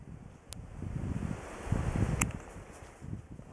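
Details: Gusty wind and rustling, plus a couple of sharp clicks and no calling animal.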